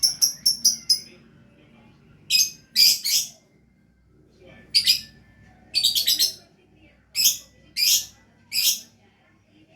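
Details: Lovebird singing in lively style: rapid series of sharp high chirps, then scattered bursts of squeaky, buzzy notes in groups of two to four, with quiet gaps and a faint low hum.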